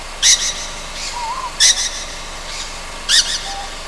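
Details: Night on Amami Oshima: a juvenile Ryukyu scops owl gives three harsh, breathy screech calls at regular intervals, with a quiet quavering whistle between the first two.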